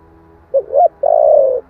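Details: One full phrase of spotted dove song, 'thổ' voice, meant as a lure for wild doves: two brief rising notes, then a sustained mellow coo that slowly drops in pitch.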